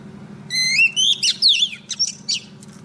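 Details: Oriental magpie-robin female decoy singing to call a male: a bright rising whistle, a slurred descending phrase, then several short chirps, over a quiet low hum.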